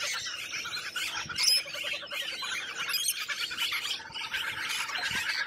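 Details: Australian wild lorikeets: a constant wash of harsh, high squawks and twittering chatter, with one louder sharp screech near the middle and a faint steady low hum beneath.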